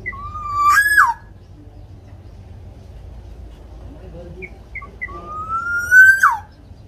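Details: Black-naped oriole, Javanese local bird, actively singing to prompt captive orioles: a long smoothly rising whistle ending in a sharp downslur, repeated after a pause with faint short notes in between.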